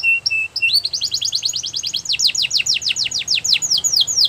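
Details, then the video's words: Canary song: a low flat whistle, then a long accelerating series of repeated descending sweeps delivered at a steady quick rhythm. "The Best Canary Singing"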